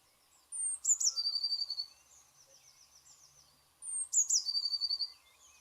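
Eurasian Blue Tit song: two thin, very high notes dropping into a fast, slightly lower trill, given twice about three seconds apart, with faint chirps from other birds behind.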